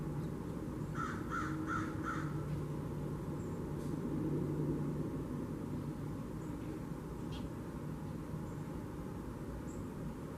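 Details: Blue Jays at a bird feeder in a kitchen garden on 13 October 2021; one gives four quick, harsh, nasal calls in a row near the start, over a steady low rumble of traffic or wind.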